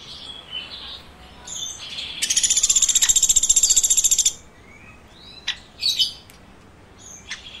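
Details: Woodpecker giving a two-second run of about twenty fast, evenly spaced, high chirping notes, like a shrill buzzing rattle, with a few scattered short clicks and chirps before and after.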